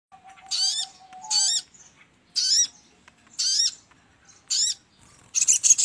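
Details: Sogon bird recorded as a lure for trapping: short, very high, squeaky warbled phrases repeated roughly once a second, each with a sweeping upward flourish, over a faint steady low whistle tone early on.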